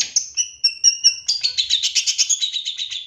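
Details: Champion long-tailed shrike, 2023, lure song meant to make another shrike sing quickly and turn agitated: a run of clear high whistled notes, then a fast harsh buzzy chatter repeated about six times a second.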